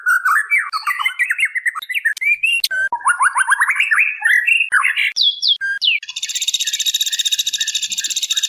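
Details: Lure recording of a female white-rumped shama calling the male: quick trilled runs and whistled slurs, then a steady rapid buzzy rattle over the last seconds.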